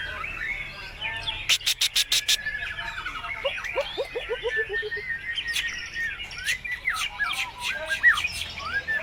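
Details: White-rumped shama song used as a lure to get other birds singing, full of mimicked material: varied whistled slurs near mid pitch, a quick run of sharp repeated notes, a descending series of short clicks, then harsh broadband bursts.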